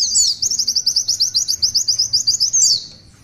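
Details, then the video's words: Brief, dense burst of Oriental white-eye tulitwitwit song: a rapid string of thin, very high rising notes, roughly four per second, closing with a slurred squeak before fading. "Tulitwitwit panjang pleci Gacor"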